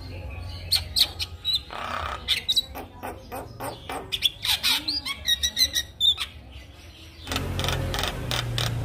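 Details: Javan myna song meant to set off stalled mynas: varied whistles, clicks and harsh rasps in quick succession, followed by a broad noisy hissing stretch at the close.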